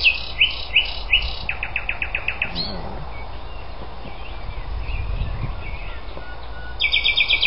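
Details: Common nightingale singing at Algutsrum, Öland, on 14 June 2010. A fast series of repeated sharp whistled notes and a rattling trill, then quieter scattered phrases, then another rapid repeated series, over a low rumble.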